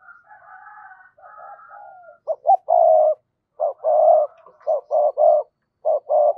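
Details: Spotted dove acting as a decoy, cooing in a double voice to provoke wild doves. Faint soft murmuring gives way to strong rhythmic phrases of rounded hoots, each run a few quick notes and one sustained note.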